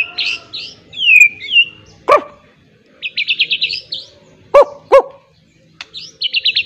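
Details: White-rumped shama in training, with a song fill of miwah phrases. The song is varied, with high whistles, slurred notes and rapid trilled bursts. It is broken by several sharp, loud, barking blasts.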